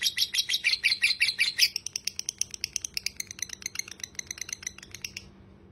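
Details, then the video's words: Lovebird in ngekek chattering song, kept as tutor audio. Loud rasping chirps give way to quicker, lighter high notes that fade and stop after about five seconds, leaving silence. "masteran lovebird ngekek panjang"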